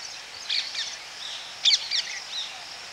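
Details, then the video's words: Baya weavers calling close up at a colony: a few short, high chirping bursts over a steady hiss of background chatter from many birds. "Baya Weaver. Calls CU At Colony"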